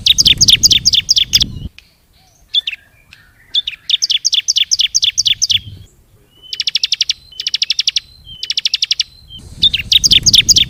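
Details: Bar-winged prinia lure call for drawing in birds: long series of rapid, high, ticking chips in repeated bursts, some joined into trains, broken by a quiet stretch with scattered notes, and low rumbling noise at the start and end.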